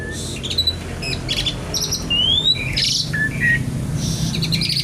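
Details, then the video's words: Javan pied starling singing energetically in the kretekan nggaruda style: a jumble of sharp chirps, short squeaks and a clear rising whistle, over a steady low hum. "jalak suren gacor kretekan nggaruda"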